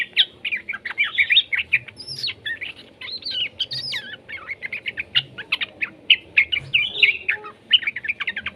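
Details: Juvenile yellow-vented bulbul song for prompting other bulbuls to sing: quick, lively bursts of chirps and looping slurred notes, some higher wavering phrases, steady chatter throughout.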